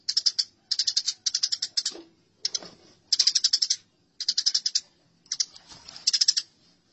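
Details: Eurasian tree sparrows in a fight, recorded as masteran for cage birds: short clusters of four to six quick, harsh chirps repeated in choppy bursts, with faint low clicks between them.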